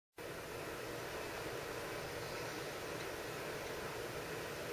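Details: Constant hiss of even broadband noise starts abruptly and runs unchanged throughout, with no calls or other distinct sounds.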